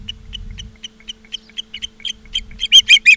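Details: Osprey at a nest in Charlo, Montana, on 17 August 2023 around 16:04: short, high whistled chirps repeat about three times a second and grow steadily louder. The last notes are strong and squealing. A faint low hum runs underneath.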